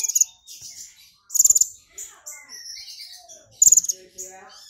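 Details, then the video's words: Provoked, excited brown-throated sunbird giving three brief bursts of very high, rapid buzzy trills, golden grasshopper mimicry included, amid faint twittering sounds. "KONIN GACOR kepancing EMOSI NGOBRA nembak isian BELALANG EMAS (Purple Throated Sunbird)"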